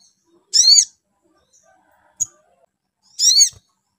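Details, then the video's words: Spiderhunter calls used to make the bird sing: two harsh, high, downslurred squeaks about three seconds apart, with a brief faint chip between them. "SUARA MENAIKAN EMOSI SOGON BIKIN SOGON LANGSUNG NYAUT GACOR"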